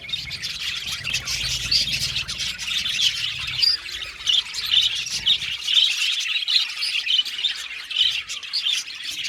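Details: Several budgerigars chirp and sing together, a busy, unbroken warble of fast high twitters and squeaky notes, with a low hum in the first half that then drops away.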